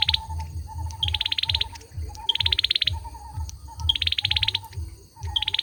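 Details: Singing male olive-backed sunbird: quick rattling trills of high clicks, each starting with a brief accented note, repeated about every 1.2 seconds, alternating with soft lower chirps; low droning hum throughout.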